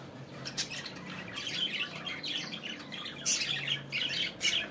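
Budgerigars chatter in a busy, scratchy warble of quick chirps and squawks, several birds overlapping continuously, with a faint low hum in the room.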